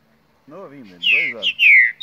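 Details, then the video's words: Young two-year-old green-winged saltator (trinca-ferro) from Mar de Espanha, Minas Gerais, Brazil, delivering loud downslurred whistles and a sharp rising note, while a man talks in Portuguese underneath. "Trinca ferro the Flash!!!"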